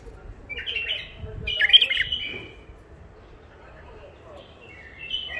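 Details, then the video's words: An old-catch wild bulbul from Mandali, Iraq, now caged alone, sings two close, chattering warbled phrases, then falls quiet before a faint short note near the end; low rumbling noise underneath. "بلابل وحشيات خامات كاع منفذ مندلي لسانات روعه"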